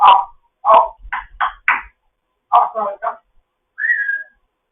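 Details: African grey parrot in foster care chattering in the morning: quick run of speech-like squawks and clicks, a second choppy burst, then one smooth whistled note held steady.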